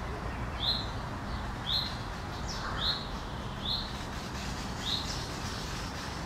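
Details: Eurasian oystercatcher (Haematopus ostralegus) resting on a gravestone in Helsinki, Finland, in June 2013, alerted by other birds, gives five sharp, high 'kleep' notes at uneven intervals of about a second over a steady wind-like rumble; call.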